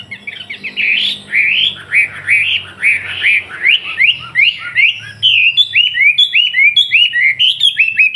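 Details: Captive Wambi from Surabaya singing steadily as tutor material for trucukan chicks. A long, varied stream of rising, slurred whistles, about two or three per second, growing into quicker, clipped phrases near the end.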